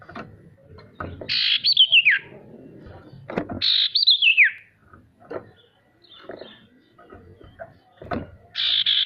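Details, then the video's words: Male sirtu lure song for getting lazy birds to sing: two cascading descending trills, then quieter scattered chips and a closing buzzy burst. "Suara sirtu untuk memancing burung pemalas bunyi agar bisa rajin mau bunyi"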